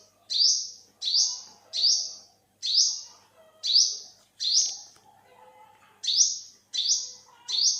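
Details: Olive-backed sunbird, recorded in 2021, giving a series of sharp, high notes that sweep up and then hold, roughly one every 0.7 seconds. There are about ten notes, with a brief pause midway and faint low chatter behind.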